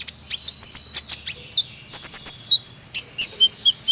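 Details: High-pitched sunbird chirping, quick sharp tweets in clusters of three or four, some brief whistled notes trailing off, quiet gaps between the clusters, otherwise clean background.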